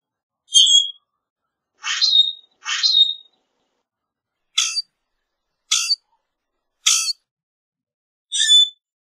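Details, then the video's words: Common grackle song made of seven brief creaky, screechy bursts, some rasping and rising, others sharp and clipped, delivered in an uneven series about a second apart with no other sounds. "Common Grackle Song! Common Grackle call! Common Grackle - Zanate Norteño Canto"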